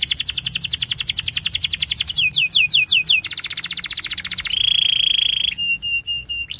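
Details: Canary song made of rapid rattling trills, a few broad down-slurred notes, a rolling buzzy tour, then steady high whistled tones and clipped repeated notes.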